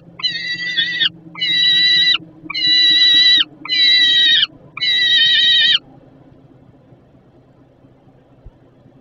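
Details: Hungry juvenile peregrine falcon begging at the Żerań nest site, Poland, in August 2022 while a parent feeds. It gives five loud, rasping wails in steady rhythm, then falls silent, leaving only a low background hum.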